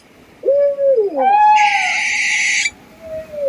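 An owl gives a wavering, mid-pitched hoot that slides upward and breaks into a harsh, raspy screech for about a second, then a softer trailing note.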